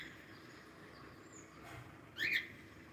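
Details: A single short, bright cockatiel chirp sounds near the end, after a stretch of low background noise.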